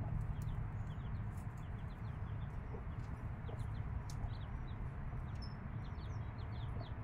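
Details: Five-day-old chicks with their mother hen; many short, high, downward-sliding peeps from several chicks scattered throughout, over a steady low hum and occasional soft clicks.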